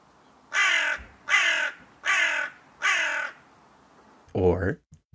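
A crow gives four harsh, hoarse caws, evenly spaced a little under a second apart, followed by a brief spoken word.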